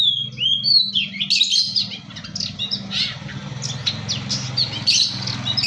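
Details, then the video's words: Vigorous full isian song of a Long-tailed shrike, East Java: opening whistled slides give way to a dense, continuous stream of harsh chattering and squeaky notes over a constant low hum. "pentet gacor | cendet gacor full isian"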